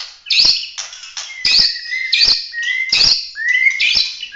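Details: White-rumped shama (murai batu), Bahorok type, delivering 'tembakan' competition song: loud harsh chattering bursts repeated roughly every 0.7 seconds, each joined by a short whistled slur.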